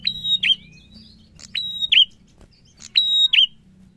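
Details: Prinia singing in the lively ngalun narung style: high, thin, sustained whistles that end in sharp, twisting flicks, repeated three times with clicks between them over a faint low hum.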